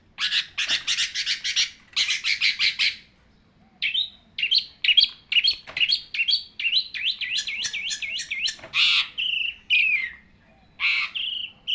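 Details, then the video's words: Long-tailed shrike tutor song for training birds: rapid harsh chattering bursts, then a varied run of wavering whistles and mimic-like warbled notes, ending with short clear phrases after a pause. "pentet pemandu suara"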